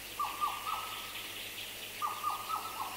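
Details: Black parrot song with other birds nearby, including Madagascar cuckoo: two series of three or four quick whistled notes, each series about two seconds apart, over steady background hiss.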